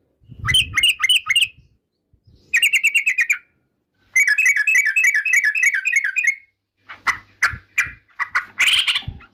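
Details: Yellow-vented bulbul song said to rile opponents: three bursts of bubbly rapid chirps, a long third one, then harsher scattered notes and a rough noisy burst near the end.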